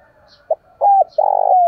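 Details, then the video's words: Low mellow spotted dove coos, a 'thổ' style voice meant to challenge wild doves: a brief soft note, a sliding middle note, then a long even throaty note. "cu gáy thúc đấu/ bổi nghe là gáy, giọng hạp bổi, bổi rừng nghe là về cội"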